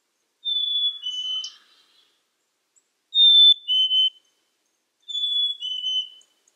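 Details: Black-capped chickadee repeating its whistled two-note song three times about every two seconds. Each phrase is a clear high tone dropping to a lower one, with faint high chips between them.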